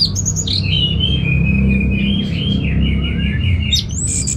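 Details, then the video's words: Orange-headed thrush, caged, from Bali, Indonesia, delivering a long drawn whistled phrase that wavers and falls gradually, ending with a sharp high upslurred note, over a loud low hum. "ANIS MERAH Langsung Gacor Nyaut Joss"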